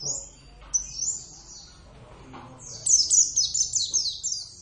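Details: Javan oriental white-eye kept as a pet, singing briskly: scattered thin high notes first, then a rapid, rippling run of bright descending chirps lasting nearly two seconds.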